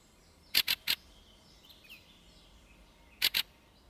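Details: Hooded Crow (Corvus cornix) at a Russian forest edge gives harsh, rasping calls: three quick bursts, a pause, then two more, against a quiet background.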